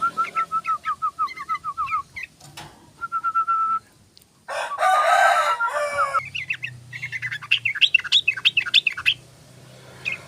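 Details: Tame sooty-headed bulbul, known locally as trucukan, singing in the rapid ropel style: quick runs of short, liquid notes repeated several times a second, broken by a loud, harsh, rooster-like burst, then bright chattering phrases.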